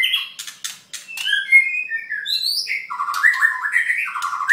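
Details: Mid-molt white-rumped shama in song: clicks and sharp notes, then sliding whistles and a run of stepped, warbled notes, varied and continuous.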